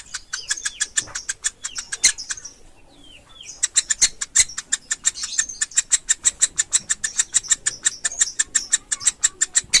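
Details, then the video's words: Woodpecker nestling known as pelatuk ulam: fast, steady chattering of high chip notes, roughly three a second, with a brief quieter gap before the regular series builds again. "Suara Anak Burung Pelatuk Ulam"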